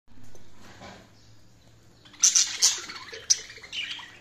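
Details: Budgies chirping: after two seconds of quiet background hum, a burst of high, quick, scratchy chirps and twitters follows, with several sharper peaks.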